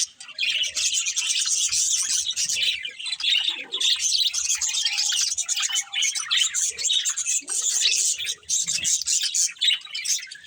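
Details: Pet budgerigars chirping continuously in dense, overlapping chatter, a mix of high scratchy warbles and sharp squawks with almost no pauses, several birds sounding at once.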